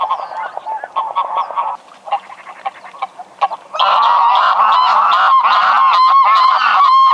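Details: Greylag goose giving rapid, nasal honks in quick series, softer and broken in the first half, then a loud, dense run of overlapping honks, as if several birds call together.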